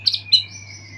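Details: White-rumped shama in captivity just after moulting, in full song. A pair of sharp high chips, then a bright whistle that settles into a long, thin, steady tone, with a constant low hum beneath.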